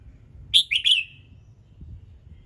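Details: Morning song of a red-whiskered bulbul, used to spur other birds into singing: one quick, loud, three-note whistled phrase with a trailing slurred tail, over faint low rumble.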